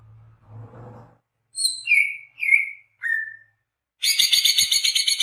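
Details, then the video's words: Greater green leafbird (cucak hijau) in gacor song used to lure birds: a soft low rumble, four clear whistled notes sliding downward, then a harsh, rapidly pulsed chattering run. "SUARA BURUNG CUCAK HIJAU GACOR Untuk PIKAT BAHAN PROSPEK"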